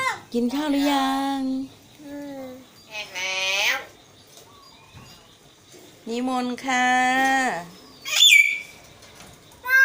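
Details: Talking pet common hill mynas, four siblings kept together, imitating human speech in Thai. Harmonic, voice-like syllables in longer phrases alternate with a sharp, piercing whistled note. Background music and human voices are also present.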